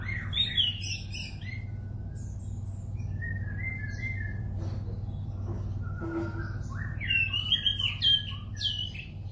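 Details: Orange-banded thrush singing: rapid bursts of varied chirping, warbled notes at the start, softer whistled phrases through the middle, then a dense run of chirps near the end, over a steady low hum.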